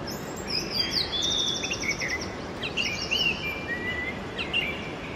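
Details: Oriental magpie-robin singing in the early morning: a varied run of clear, sweet whistled phrases, some sliding down, others rising, with quick trilled notes between, over a steady low background hiss.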